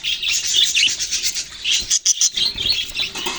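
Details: Flock of kept budgies on November 6, 2023, giving busy high chirps and scratchy warbles, a brief hush near the middle broken by three quick sharp notes before the chatter resumes.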